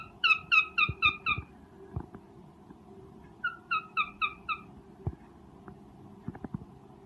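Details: Cockatiel calling to mate while breeding: two short runs of rapid, harmonic, descending notes, the second softer, separated by a gap with scattered taps and a steady low room hum.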